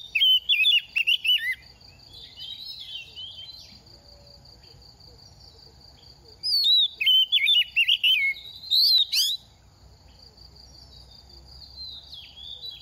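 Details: Second-season oriental magpie-robin singing fast while moulting: two separate bursts of rapid, falling, quavering whistles several seconds apart, each ending in sharp chirps, with a constant thin high tone throughout.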